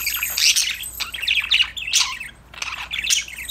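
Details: Several budgerigars chattering to each other, said to be playing and singing; bursts of rapid high warbling chirps and scratchy twitters with brief pauses between groups.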